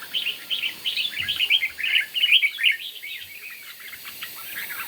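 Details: Red-whiskered bulbul in morning competitive song: a steady stream of lively, jumbled warbles and chirps, roughly three phrases a second, fading toward the end.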